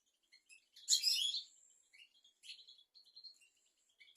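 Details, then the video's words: Softly recorded European goldfinch song for tutoring young goldfinches and canaries: a short, loud, jangling twitter followed by quieter scattered chirps and thin whistled notes. "تغريد طائر الحسون"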